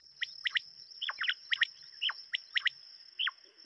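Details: Quail calling in crisp grouped notes, often three quick downward-sliding chips in a row, repeated about once a second, against a constant high-pitched background tone.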